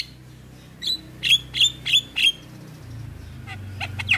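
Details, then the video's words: Javan myna among other starlings in a tutoring recording: a short run of five sharp, squeaky notes at about three per second, followed by a few scattered chirps. "Masteran Dan Pancingan Burung Jalak Kebo dan Jalak Lainnya - Jalak Kebo Gacor"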